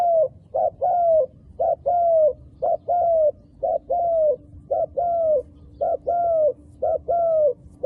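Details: Wild dove with dark-marked feathers giving a steady, evenly timed series: each short coo is followed by a longer slurred coo that sags in pitch, about ten such pairs in eight seconds, faint hum behind.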